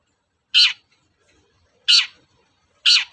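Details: Long-tailed shrike lure call used to make caged birds reply: three loud grating rasps, each brief and harsh, separated by about a second of quiet.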